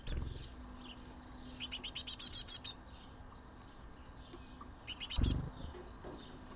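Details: A great tit brood of young birds at a feeder basket gives begging calls at the end of May, 31 May 2022: quick bursts of thin, high chirps, about eight in a second then five, over a dull knock and low hum.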